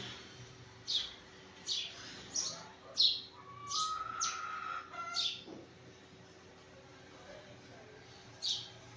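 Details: Irregular sparrow chirps in the morning. A clear, drawn-out whistle from another bird crosses the middle of the series, and one last chirp sounds after a pause.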